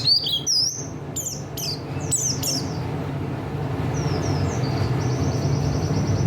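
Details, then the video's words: Oriental white-eye of the buxtoni form singing: quick, very high, thin slurred chirps and swooping notes at first, then a soft, even, rapid high trill, over a steady low mechanical hum. "Pleci buxtoni materinya enak banget"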